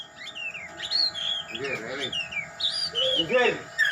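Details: White-rumped shama (murai) singing in the gaya sujud style: clear whistled notes, some sliding down and some rising, with lower harmonic chattering phrases around the middle and near the end.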